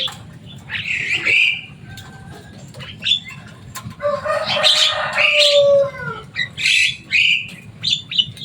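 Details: Loud, noisy Javan myna in captivity, a mimic of human words, giving harsh squawks, then a grating burst with falling whistles and a strong sliding tone, then further shrill calls.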